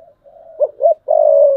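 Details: One cooing phrase from a decoy spotted dove, 2022, in thúc bổi style: a soft low lead-in, two short rising notes, then a long even coo that runs to the end.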